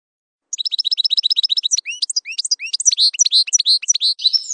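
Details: Campero-style song of a European goldfinch: a fast, even series of high twittering chirps, then a busier jumble of rising and falling liquid notes, continuous and bright throughout.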